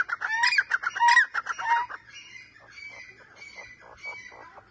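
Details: Grey francolin calling: loud, harsh, rhythmic harmonic notes in a rapid series, then a softer run of repeated shorter notes, fading toward the end.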